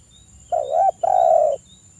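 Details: Spotted dove male in 'kuk 1' style cooing to call a rival while local males answer. A single low phrase: a wavering short coo, a brief gap, then a longer even coo that falls slightly at the end.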